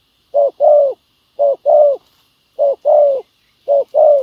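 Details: Spotted dove on the ground as a decoy luring wild doves, singing a foreign-style song: four clear pairs of coos, a brief note followed by a fuller drawn-out one, about one pair per second.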